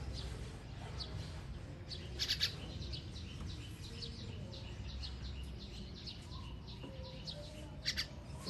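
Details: Young birds at feeding time, 21.06.23: brief clusters of shrill double chirps near the start and end, with faint rapid high ticking in between and a constant low rumble underneath.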